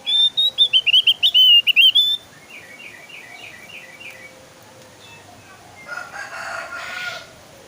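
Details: Javan grey-throated white-eye song, used as a lure to set kept birds singing: a loud two-second string of quick, high, wavering whistles, then softer buzzy repeated notes and a faint rustling burst near the end.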